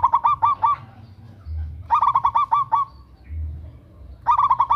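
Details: Female zebra dove of local Indonesian stock calling to a male, a loud lure call: three bursts of fast, rolling coos, each a string of short stuttering notes, separated by pauses with low hum beneath.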